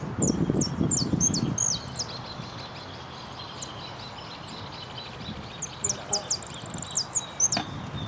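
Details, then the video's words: At Nuevo Irupé, 15 01 12, a saffron finch placed second in repique competition delivers rapid high slurred notes, pauses, then a second phrase with a sustained trill; low thumping noise at the start and a sharp click near the end. "2do puesto en blanco de repique"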